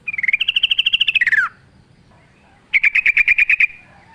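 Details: Sooty-headed bulbul singing strongly: a fast stuttering trill of clipped notes that rises slightly then slides downward, followed after a pause by a second rapid rattling burst at steady pitch.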